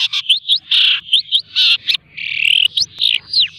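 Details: Caged long-tailed shrike in full 'gacor' song, trained on mp3 recordings: alternating harsh buzzy bursts and quick upward whistles, with a long rasping phrase near the middle followed by sharp slurred notes.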